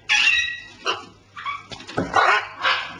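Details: Pet parrots kept at home giving a series of harsh, raspy squawks, five bursts in three seconds, some with banded overtones and others noisier and grating, with brief gaps of quiet between them.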